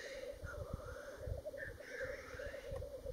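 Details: Black grouse at Worlds End, Ruabon Moor, North Wales, on 25 March 2018, giving a steady, low bubbling coo without a break, with a few brief, higher rising notes over a rumble of wind.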